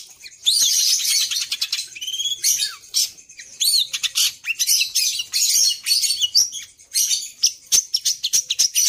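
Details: Long-tailed shrike singing a song filled with phrases copied from other birds: a dense, fast jumble of high chirps, trills and short whistles, with brief buzzy bursts packed closely together.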